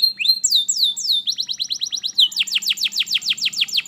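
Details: Domestic canary singing, played to prompt a reluctant canary to start singing: a rising note and slow falling whistles lead into rapid repeated downslurred chips, then a second, higher fast tour of descending notes.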